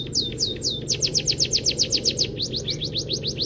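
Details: Munia delivering canary-like phrases for training songbirds: a few slower swooping notes open into a rapid, even trill of high downslurred chirps, followed by rising notes, over low hum.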